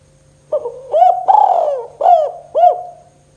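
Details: Tekukur (spotted dove) kuk 2 calling, meant to trigger reluctant doves to sing: a quiet two-part intro, then a long falling coo and three bouncy arched coos, mellow and hollow, over a faint hum.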